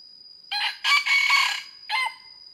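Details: Red junglefowl, a hen calling for a rooster on a trapping lure recording from Vietnam dated 24 July 2022, gives harsh, hoarse cackling calls in three quick bursts over two seconds, with a thin steady high whine underneath.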